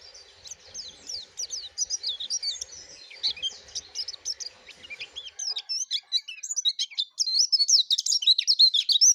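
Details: A yellow-breasted white-eye delivers a long, lively stream of high downslurred chirps and looping warbles, dense and loud throughout, with faint low murmuring in the first half.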